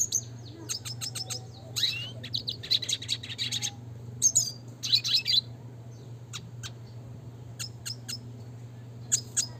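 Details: Classic red siskin song for training birds: dense runs of sharp high chirps and buzzy twitters in the first half, then widely spaced single chirps, with a faint steady hum underneath.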